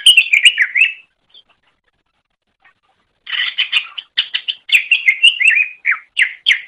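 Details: Greater green leafbird song used as tutor material for training other birds: a burst of bright, warbling notes around the middle-high range, a pause of about two seconds, then a fast run of varied chirps and slurred whistles.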